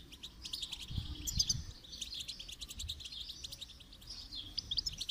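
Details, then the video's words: Goldfinch song used for song training: faint, rapid twittering and buzzy trills in a continuous high stream, with some low rumbling noise underneath. "Motivational rewards for training goldfinch to song"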